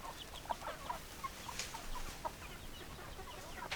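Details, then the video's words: Chickens cluck in short, soft, evenly spaced notes, about two per second, with several other birds chattering faintly behind. "Chicken Sounds Noises Hens Clucking Roosters Crowing"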